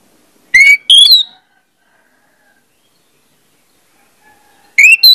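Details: Short snatches of Orange-headed thrush song, used as a trigger recording: two quick rising whistles, a long silent gap, then another rising whistled pair near the end, with no other sounds.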